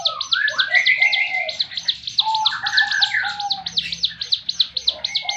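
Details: Javan fulvetta in "tembakan" song: rapid high chirps repeated in a quick train, overlapped by varied lower whistles and rising slurred notes that come and go, sounding busy and layered.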